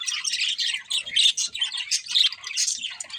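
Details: Chirping from a breeding pair of budgies, a steady stream of high, rapid, scratchy warbles and squeaky notes pulsing in short bursts.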